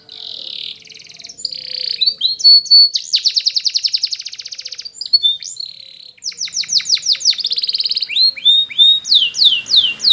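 A Spanish Timbrado canary sings a long, varied song of rapid rolling trills, metallic rattles and quick repeated whistled notes, shifting phrase every second or two.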